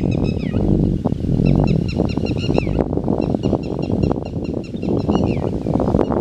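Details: Red-wattled lapwing recorded on 21 May 2016. It gives bursts of sharp, high, rapidly repeated calls in quick series, heard over constant loud low rumbling noise.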